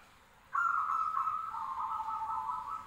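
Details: Zebra doves calling back and forth: after half a second of quiet, one long continuous trilling coo holds a steady mid pitch for over two seconds, with faint background hiss.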